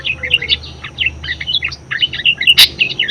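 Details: Budgerigar in full song, recorded as a master for training other birds: fast unbroken stream of high chirps and warbled squeaks, one harsh noisy burst near the end, soft low hum behind.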